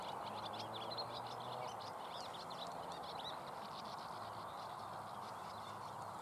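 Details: A large flock of house martins flying over a pond and now and then perching in a tree give dry, chirruping twitters in quick irregular bursts, over a steady background rush and a low hum.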